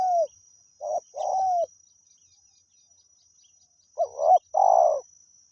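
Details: Spotted dove at Pa Roi during decoy calling: mellow coo phrases, a short note then a long rolling coo, with a silent gap mid-clip and a constant high whine throughout.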